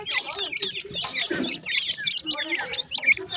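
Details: Partridge chicks during feeding: a short burst of very high, sharp, slurred cheeps from several birds at once, with a few lower chirps underneath.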